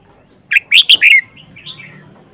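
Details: Red-whiskered bulbul, an old bird caught in the wild and caged for four months, delivers a signature song phrase: four bright chirped notes in quick succession, the final one gliding down, followed by quieter rising twitters.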